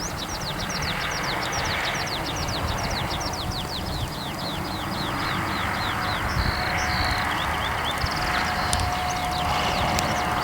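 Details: Eurasian skylark calling busily high overhead above a farm road: a rapid stream of thin, high chirps and twittering notes, over a steady roar from nearby passing cars.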